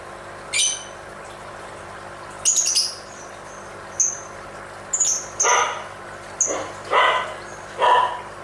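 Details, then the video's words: A lovebird vocalizing as it dances, giving thin whistled high notes and clipped chirps that build into rougher, lower squawks toward the end, irregularly spaced, over faint constant hiss. "Suara indah burung lovebird sambil menari nari"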